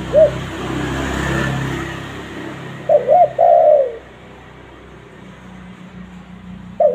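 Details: Lure recording of a spotted dove: a brief low coo, then a full phrase of two wavering hoots and a drawn falling croo, over steady background hiss and hum.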